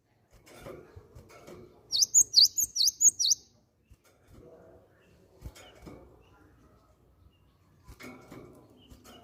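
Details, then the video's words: Lure sound of a cinereous tit, or gelatik batu, meant to draw other birds into song: a tight burst of about six very high, sharp chirps lasting just over a second, set among soft low thumps and faint background noise. "PANCINGAN BUNYI BURUNG GELATIK BATU"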